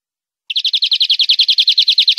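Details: European greenfinch song recorded cleanly as tutor material for training captive birds: a steady, rapid trill of about nineteen identical bright notes over roughly 1.8 seconds, with no other sounds.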